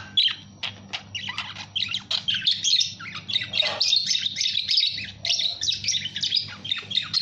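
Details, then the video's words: Budgerigar keeping up a continuous, high, chattering warble of chirps, squeaks and occasional harsher squawks over several seconds; low steady hum beneath. "SUARA BURUNG PARKIT"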